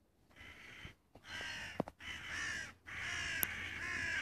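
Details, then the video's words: A crow, recorded on 25 June 2017, gives three drawn-out hoarse caws, separated by short pauses, with a few faint clicks and knocks around them. "Ворона. The crow."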